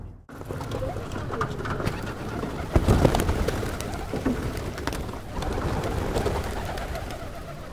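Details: Hundreds of pigeons at Pigeon Valley in Cappadocia, Turkey, with several other birds: a dense, low murmur of overlapping coos and grunts, broken by bursts of flapping wings, loudest near the middle.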